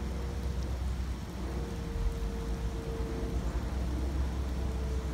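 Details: Steady rain-like hiss over a deep engine rumble with a faint constant hum, and no animal calls.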